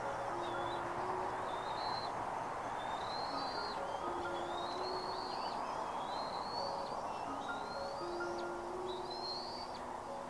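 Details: At a Bald Eagle nest with three eaglets in Turtle Bay, Redding, California, thin high whistles rise and break off sharply. They repeat roughly every one to two seconds against constant heavy hiss and scattered low steady tones.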